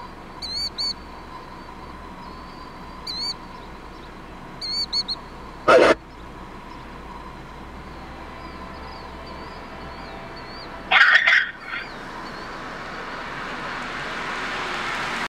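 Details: A Killdeer gives shrill, high notes in short bursts of two or three, a couple of seconds apart. Two loud knocks and a low rumble are also heard.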